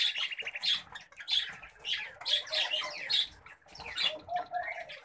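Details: Pet common babblers give pulsing bursts of harsh, grating chatter, repeated roughly every half second. A short, low whistled phrase comes near the end.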